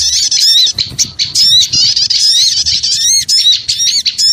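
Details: Small birds squabbling loudly for luring, packed high squeaks and harsh chirps repeated in quick bursts with tiny gaps throughout.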